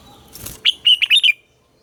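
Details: Morning song of a red-whiskered bulbul in the old-wild double-note style: a short phrase of five clear, liquid whistled notes rising and falling, delivered within under a second.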